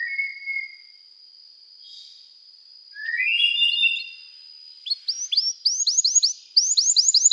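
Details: Canary song opening with a long thin whistle, then a warbled low phrase, then quick rising chirps repeated in bursts toward the end; quieter recording.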